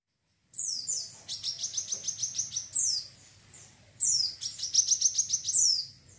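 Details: Wiceh bird in lively chattering form, kept for training other birds and as therapy: two bursts of very high, sharp chirps, each a quick falling note then a fast run of about a dozen crisp repeated ticks, separated by a brief pause, clean and close.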